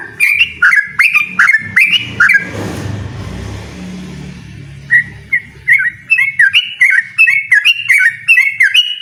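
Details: Yellow-vented bulbul singing energetically to challenge a rival to a rapid-fire song contest: bright, bubbly, liquid phrases repeated about every half second, interrupted midway by a brief whooshing noise before the fast series resumes.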